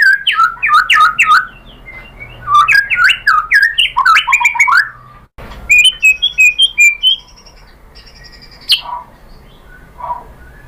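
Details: Murai batu lure song, intended to spur other white-rumped shamas to sing: a quick burst of repeated slurred phrases, a pause, then softer whistles and one sharp high note.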